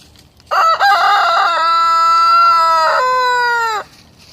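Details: Rooster crowing at waking-up time in the morning: one loud, long harmonic crow with a choppy start, then a sustained level tone and a falling end, about three seconds long over a quiet background.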